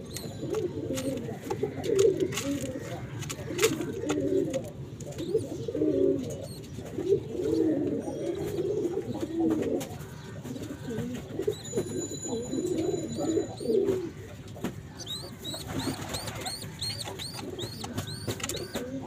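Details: Mother pigeon, with chicks, cooing in low, throaty, rolling bursts, with faint higher chirps late on.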